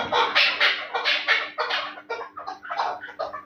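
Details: Chukar partridge of the Terali strain, used for fighting and hunting, giving several loud, rasping notes at an irregular pace that grow shorter and softer toward the end.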